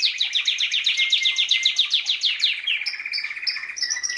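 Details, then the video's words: Canary master song: a rapid, rattling run of descending notes, then a slower string of short, separate high whistles. "Masteran Suara Kenari"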